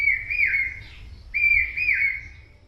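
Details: Common hawk-cuckoo, the brain-fever bird often heard in the rainy season, gives two shrill, whistled phrases, each about a second long, rising then levelling out. They repeat quickly, like 'brain-fever', over a faint low rumble.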